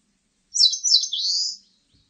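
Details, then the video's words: A single Eastern crowned warbler phrase: two sharp, high twittering notes lead into an extended, wheezy, buzzing note that rises and holds, followed by silence. "산솔새, 여러번 듣기, 곤충소리, 새소리"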